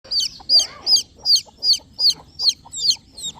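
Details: Newborn country chicks peeping: high, sharp peeps with a bent, falling shape, each one distinct, repeated steadily about every 0.4 seconds over quiet low background hiss.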